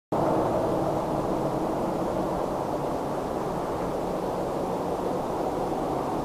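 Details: Even, continuous wind roar from start to end, with no animal calls.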